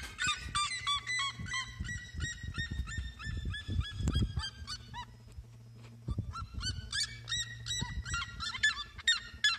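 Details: Red-legged seriema song: long dense chorus of rapid, harmonic yelps with sliding pitch, overlapping notes suggesting several birds, a brief lull in the middle, and a steady low hum with rumbling noise underneath.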